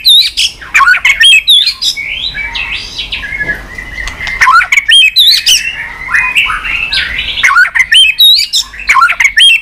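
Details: White-rumped shama singing nonstop 'tạch' song with tail-flicking: dense, fast sequences of sharp clicks and high slurred whistles over softer warbling, barely pausing throughout.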